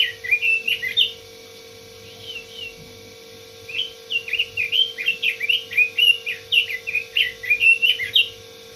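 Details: Red-billed leiothrix singing in two bouts: an opening phrase of fluty up-and-down whistles, a short lull, then a longer rapid run of bright warbled notes; faint electrical hum in the background.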